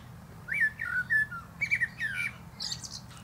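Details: Rich, fluting warble of a common blackbird atop a plum tree, a run of slurred whistled notes dipping and rising, ending in a squeaky high twitter.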